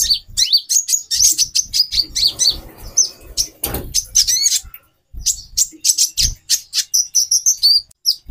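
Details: Female konin, a captive bird used to arouse the male's mating drive: rapid, dense high chirps and short twittering notes in quick bursts, with brief pauses and faint low thumps beneath.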